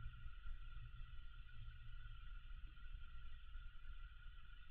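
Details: Low rumble with a steady mechanical whine in bands, like a fan or appliance running; no bird calls.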